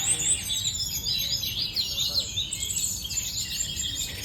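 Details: Sooty-headed bulbul (tledekan gunung) in fighting-style song, pouring out busy, shrill twitters and quick chirping bursts that overlap in a steady, energetic chatter, with soft background noise beneath.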